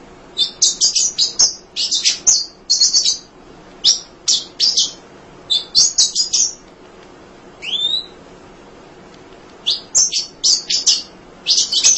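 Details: Munia singing tirelessly to train other songbirds: repeated bursts of high, scratchy chirps with short pauses, broken once by a downslurred whistle.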